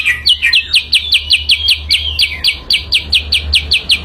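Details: Lure song of a sooty-headed bulbul, with crisp, sharply falling whistled notes repeated steadily about three times a second and a soft low hum underneath.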